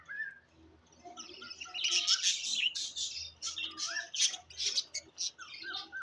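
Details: Green parrot in a long run of rapid, rasping squawks and scratchy chatter, dense and noisy in the middle, broken by a few brief thin whistled notes and short pauses.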